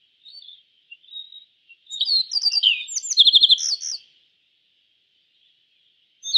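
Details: Yellow bunting singing: soft scattered chirps build into a loud burst of bright twittering notes and a rapid trill lasting about two seconds, then silence, and a new phrase beginning at the end.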